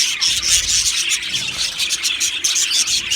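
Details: Happy Australian budgies chattering together in their aviary colony, a thick wall of shrill twitters and rasping chirps, very loud and almost without gaps.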